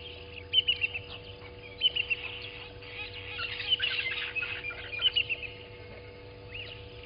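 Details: At a waterhole on Djuma Game Reserve in South Africa's Sabi Sand Wildtuin, arriving Southern masked weavers give quick clusters of sharp, twittering notes, about three bursts across seven seconds, with a constant background hum; morning, 07:30, 12/06/20.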